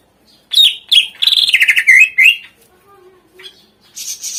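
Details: Filler-phrase tutor song of a greater green leafbird, meant to spur lazy birds to sing: rapid sharp chirps and a sliding buzzy trill that drops in pitch, then quiet low tones and a faint high hiss.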